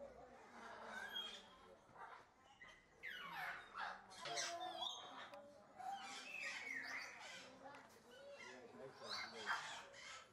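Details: Blue-winged macaw, also called Illiger's macaw, giving harsh, raspy squawks in bursts, some sweeping downward, repeated irregularly across ten seconds over a low background hum.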